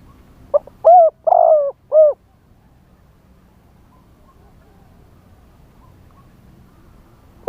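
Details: Spotted dove singing as a live lure for wild doves in the wild-type style: a single four-part cooing phrase, soft lead-in then three hollow descending coos, followed by several seconds of quiet with low background rumble.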